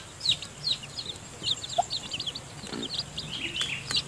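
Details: Chicks just hatched, cheeping as the mother hen feeds them in her nest. Quick, high, downslurred peeps come in bursts, with one faint low cluck and a soft thump partway through.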